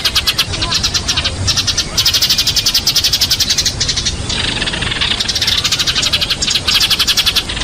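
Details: Fighting Eurasian tree sparrows give fast, scratchy chattering chirps in bursts with brief pauses, set against steady background hiss.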